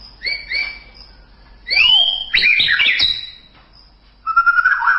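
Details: Murai batu or white-rumped shama in masteran song: two soft paired whistles, a loud looping swoop, a dense tangle of fast notes, then a warbled lower trill, over a steady faint high tone.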